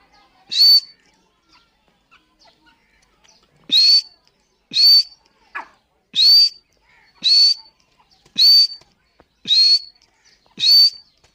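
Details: Whistled calls of a female dakhni teetar, the grey francolin: sharp, rising then flat high notes. After one call and a three-second pause, seven more come at roughly one-second intervals, with a softer lower note between.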